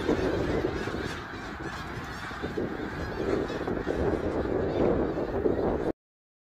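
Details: Large flock of snow geese at Middle Creek Wildlife Area, 3 March 2022: a constant wall of overlapping honking calls, loud and unbroken, ending abruptly near six seconds.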